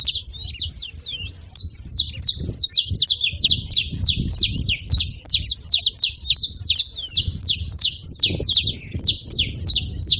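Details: Free-living wild saffron finches making noise, a rapid run of sharp high chirps and short descending notes, roughly three per second, from several birds at once over low rumbling background noise.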